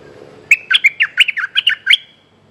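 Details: Streak-eared bulbul calling a mate: after a quiet half second, a quick burst of about ten sharp, chirping notes, each a short bright warble, packed within one and a half seconds, then silence.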